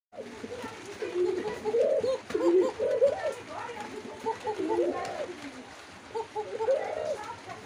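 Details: Pigeons cooing: low, rolling coos rise and fall in short arched phrases, several overlapping through the clip, over a constant low murmur of background noise.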